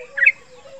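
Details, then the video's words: A young male yellow-vented bulbul, not yet a year old, gives one brief, bright twittering note of its rapid chattering song over a steady low hum; the call is used as a lure for males. "Suara Panggilan Trucukan jantan"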